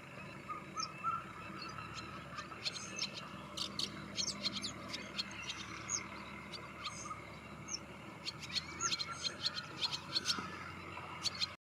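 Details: Wire-tailed swallow (Hirundo smithii) giving short, sharp, high chirps and clicks in scattered clusters, busiest around the middle and near the end, over constant faint hiss.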